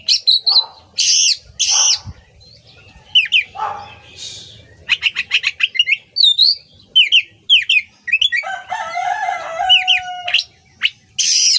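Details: Kacer (Oriental magpie-robin) delivering a masteran song to train songbirds: harsh buzzes, rapid chip series and whistled slurs, with a lower, more tonal chattering passage near the end before a final rasp.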